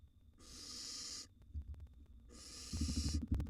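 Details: Wild barn owl nestlings at a nest box while being fed: two long harsh hisses about a second apart, followed by rising thuds and scuffling.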